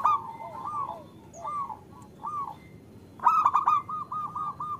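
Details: A female local zebra dove calls to draw a male into singing. Gentle wavering coos and soft falling notes are followed by a loud, rapid stuttered burst that ends in an evenly spaced series of coos.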